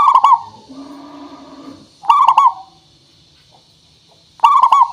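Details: Singing local zebra dove, used as a lure: three loud, rapidly stuttered coo phrases about two seconds apart, with a faint low hum after the first.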